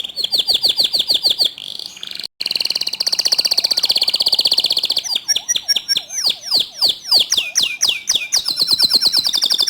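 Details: Canary song used to make other canaries sing: fast trills, a momentary dropout, a dense buzzy roll, then a series of loud slurred downward whistles and a closing high trill.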